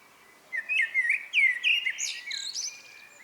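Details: Evening singing of a common blackbird: after a quiet start, a series of mellow rolling whistled notes builds, then breaks into a strained, squeaky high twittering ending.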